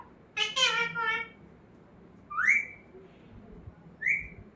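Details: Talking pet parrot in a small room: a voice-like harmonic phrase of several syllables, followed by two separate rising whistled notes.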